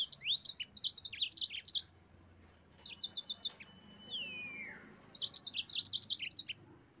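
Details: Yellow-fronted canary song meant to push rivals into singing: three energetic bursts of high, sharp repeated chirps, with a thin falling whistle between them.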